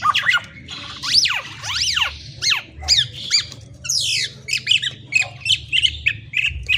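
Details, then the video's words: Black-naped oriole singing loud, squeaky whistled notes that sweep steeply up and down, given in short phrases with brief gaps, from a close bird in a small room. "KICAUAN BURUNG KEPODANG"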